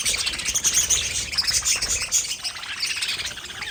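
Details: Pet budgerigars chattering: a dense, continuous stream of high, scratchy chirps and warbled twitters with brief bright whistled notes, no pauses, layered like several birds calling at once.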